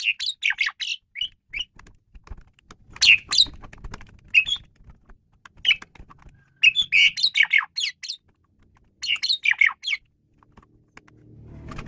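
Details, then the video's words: Asian pied starling singing in bursts of harsh, chattering notes and squeaky whistles, clustered phrases separated by short pauses, with a faint low rumble in the background midway. "Ocehan Burung Jalak Suren"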